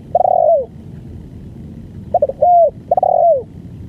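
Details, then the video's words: Long-duration song from a spotted dove: a falling drawn coo, then short stuttered notes, an arched coo and another long descending coo. Clean, with only faint low background noise. "BANGGO full||Durasi panjang"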